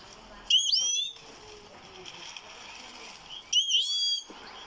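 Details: Goldfinch singing a pair of bright, rising whistled phrases roughly three seconds apart, each lasting about half a second, with a quiet hiss between them.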